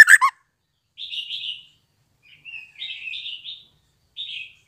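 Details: Recently weaned white-rumped shama fledgling, its calls meant to stimulate young birds to learn singing; a sharp chirp followed by soft buzzy hissing notes repeated at intervals, with silence between.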